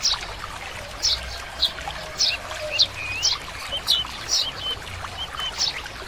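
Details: Oriental greenfinch, a common resident bird across Korea, giving short high chirping notes about every half second, with a brief rising whistled note near the middle, over a faint trickling background.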